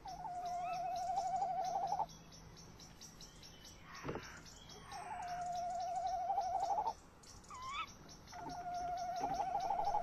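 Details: Male tawny owl in a nest box with the female nearby outside, 21:45 on 30 May 2015, filmed by nest-box camera; three long, even, quavering mid-pitched trills of about two seconds each, with brief rising squeals between them.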